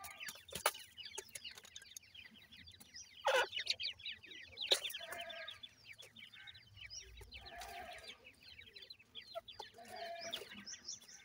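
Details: Grey francolin (teetar) chicks keep up a steady chatter of countless short, high, falling cheeps from many birds at once, punctuated by occasional louder bursts and clicks, over a low background hum.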